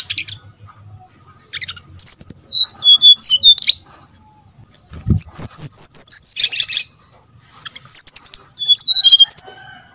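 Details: Lure song of the brown-chested jungle flycatcher, meant to make other birds sing: repeated phrases of rapid, high whistled notes falling in pitch, with one buzzier, rougher phrase among them.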